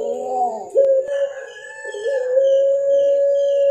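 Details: Captive Barbary dove, a kept songbird from an Indonesian collection with a black neck collar, cooing in the drawn-out pelung style. Low, steady, hollow tones slide then hold long and level, with a brief break near the first second.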